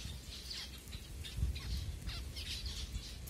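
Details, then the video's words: Finches at feeding time in Kumarapuram Thoppur, Kanyakumari, Tamil Nadu, India, recorded on a Redmi Note 7 phone: soft, high, short chirps scattered rapidly and irregularly over a steady low rumble. "Finches 🐦Ep#08 Food time"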